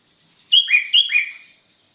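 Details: Sooty-headed bulbul singing on a Sunday morning in Sukanegeri, East OKU, Indonesia: two bright, bubbly phrases, each a high note dropping to a lower slurred whistle, given back to back in a quiet setting.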